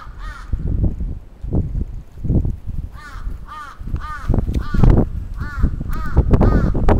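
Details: Crow attacking in Atsubetsu Ward, Sapporo, Japan, June 27, 2017. One early caw, a gap filled with low thumps and rumble, then a burst of about seven loud rasping caws.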